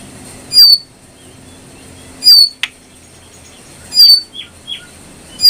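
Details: ['Brown prinia used as a training recording for cage birds. Sharp whistled notes with a falling tail come at steady intervals of nearly two seconds, with a few softer chirps between them.']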